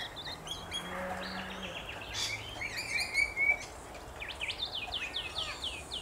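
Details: Rainbow lorikeets in Australia, a busy mix of short screeching and chattering notes, many rising and falling strokes overlapping at irregular intervals, with a faint low hum in the background.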